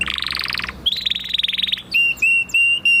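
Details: Canary song opening with two fast rolled trills, the second higher, then several long clear whistled notes held at one pitch.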